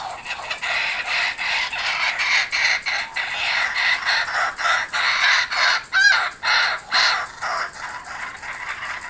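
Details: Returning kookaburras give loud, raucous laughing calls, a rapid stream of harsh chuckling notes pulsing roughly once a second and building in strength toward the end.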